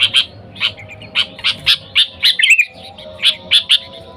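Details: Lively sooty-headed bulbul lure call to attract wild birds: short, bright chirps repeated roughly every quarter second, with a brief liquid trill midway and a faint low background hum.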